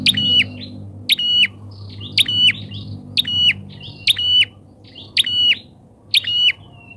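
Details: Bar-winged prinia lure, called so loud that wild prinias reportedly keep away; seven crackling notes each trailing into a bright sustained whistle, spaced about a second apart over low hum.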